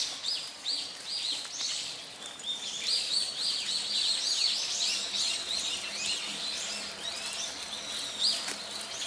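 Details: Several brown-eared bulbuls in Hourai Park, Tokyo, giving loud, piercing, squeaky calls that overlap continuously in a busy jumble, with bursts of sharper notes and no clear rhythm.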